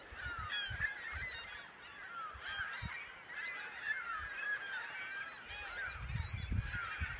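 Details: Hundreds of gulls at Hawkins Bay, Lake Champlain, on 14 April 2015, feeding on dying alewives, give a steady chorus of overlapping harsh, mewing and squealing calls over low thumps of wind or water.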